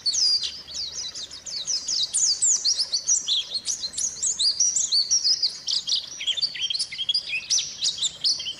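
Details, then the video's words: White-eye lure recording made to prompt silent white-eyes to sing again: a fast, high, jumbled twittering of thin chirps and trills with hardly a pause, possibly several birds together. "pancingan suara burung pleci macet bunyi"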